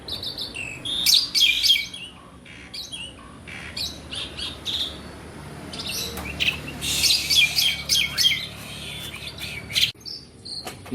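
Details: A black-and-white Asian pied starling sings nonstop, a busy stream of scratchy chatter and bright high bursts coming in dense clusters.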